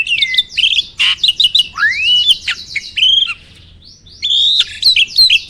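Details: Jalak starling song used to spur caged birds to sing: bright whistled notes, rising and falling slurs and buzzy chatter in fast sequence, a brief quieter pause midway before singing resumes.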